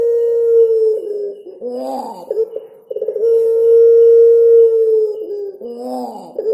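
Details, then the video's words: Two drawn-out coos from a puter pelung collared dove with cengkok: each begins with rapid stuttering pulses and swells into a long, level, hollow tone, separated by wavering, whining notes. "Suara Burung Puter Pelung Mantap Ada Cengkok Nya"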